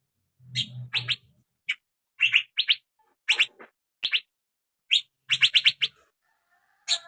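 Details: Asian fairy-bluebird, young male, sounds used as a lure to get it singing: scattered sharp chirps, singly and in quick doublets or triplets, separated by short pauses, with a low hum at the start.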